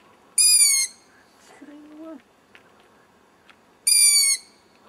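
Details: Two hoarse, hissing screams from an owl chick perched out of sight in a tree about 100 metres away at low light, spaced three and a half seconds apart, with a soft low whistled note and faint clicks in the gap.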